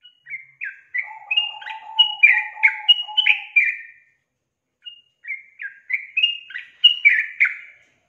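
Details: Yellow-vented bulbul female calling the male: two bursts of bubbly, up-and-down chirping phrases, the first backed by a low steady tone, separated by a brief silence.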